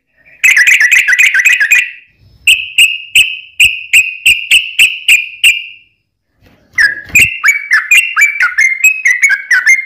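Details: Sooty-headed bulbul delivering a long rapid song used to draw replies from other birds: a fast warbled trill, then a string of even whistled notes, a short pause, and a bubbly run of falling, liquid phrases.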